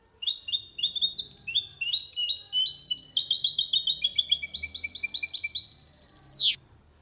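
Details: Goldfinch × canary hybrid singing a faultless Malaga copy for stimulating male birds; accelerating high trills and chirps ending in a sharp descending sweep.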